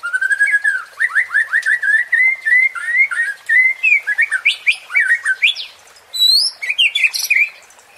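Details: Murai batu (white-rumped shama) song meant to provoke a fighting mood: a continuous chain of quick whistled and chattering notes that climb higher toward the end, ending with a few looping high whistles.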